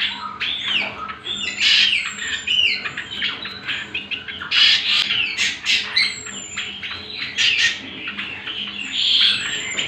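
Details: Greater green leafbird (cucak kombo) in lure and training song: a busy, harsh-edged medley of squawks, chirps and bending whistles delivered in rapid bursts over ten seconds, with a steady electrical hum beneath.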